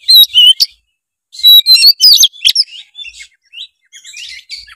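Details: A white-rumped shama's lively song used to encourage a lazy young bird: fast bursts of whistles and harsh chattering, loud at first, then fading into softer scratchy notes.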